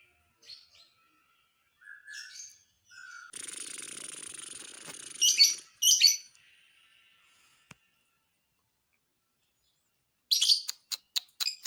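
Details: Lovebird song to provoke other lovebirds: scattered squeaky chirps, a long buzzy rattling trill, loud raspy bursts, then a quick series of sharp clicks after a silence.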